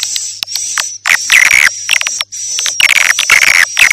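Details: Edible-nest swiftlets on a morning, noon and night lure recording for swiftlet houses: grating, buzzy chirps alternating with clear high whistled tones, in uneven bursts with short pauses.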